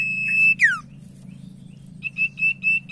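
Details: Common iora lure song, used to make silent ioras sing: one long high whistle with a falling slur, followed by a string of short evenly pitched whistled notes over a soft low hum.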